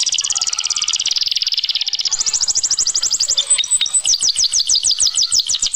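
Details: Singing canary delivering a long, continuous, high buzzy trill that shifts to a faster, brighter rattle midway, then breaks into a rapid series of quick downward-slurred whistled notes.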